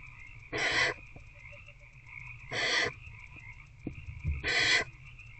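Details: Barn owl in a nest box at night, 19 February 2024 around 9 pm, an adult feeding an older owlet one on one; three harsh, breathy hisses spaced about two seconds apart over a steady background hum.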